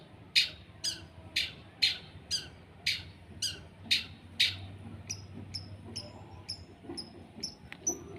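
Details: Sunbathing long-tailed shrike, misted with a spray bottle, repeats a loud grating rasp about twice a second, then switches to softer, thinner high chirps near the end.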